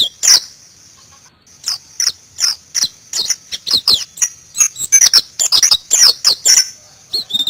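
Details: Wild white-eye (Zosterops) singing in the forest: a steady run of high, sharp chirps and twitters that quickens into a dense, busy burst near the end.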